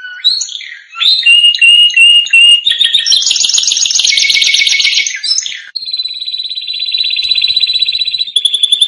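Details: Singing canary for training young canaries: whistled steady notes, a loud dense buzzy roll, then a long even trill at one pitch with brief soft clicks beneath.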